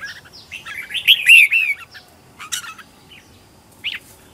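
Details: Red-whiskered bulbul decoy in training at home, singing to call wild birds: a long warbling phrase with loud sliding whistles, then scattered short chirps.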